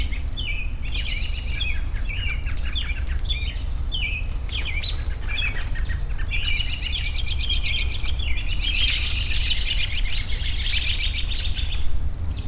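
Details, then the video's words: Several birds chirping and twittering in overlapping high, rapid phrases, busiest in the second half, over a constant low rumble of background noise. "10 Minutes of Bird Sounds for Relaxation"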